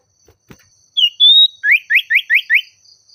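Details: Oriental magpie-robin in agitated song aimed at a rival: a brief falling note, a sustained rising whistle, then six quick, evenly repeated upslurred whistles; a few soft clicks precede it and a faint hum runs behind.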